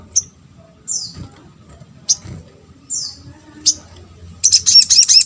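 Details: Sunbird (sogon) call meant to provoke a reply from other birds: sharp, high, down-slurred chips spaced about a second apart, ending in a brief fast buzzy trill.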